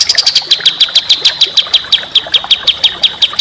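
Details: Contest songbird training recording with a rapid, harsh series of sharp chips around a steady high pitch, repeated about five times a second, with fainter higher notes above.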